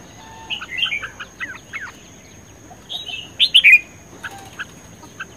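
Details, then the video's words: Red-whiskered bulbul song during a singing contest: quiet scratchy notes at first, then a loud burst of three rich warbled syllables, with scattered soft chirps and a thin steady whine in the background. "Chim chào mào hót | chào mào | chào mào hót đấu | chào mào căng lửa | chào mào sung sức"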